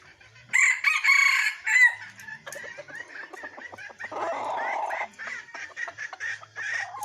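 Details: F1 decoy rooster recorded 19 December 2021: a strong, ringing crow lasting just over a second, then a quick run of short clucking notes and a brief noisy burst.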